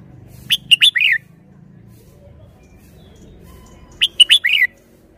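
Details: Song of a red-whiskered bulbul, praised for good phrasing: twice, about three and a half seconds apart, it gives three sharp whistles followed by a down-swooping warbled note, over a faint low background hum.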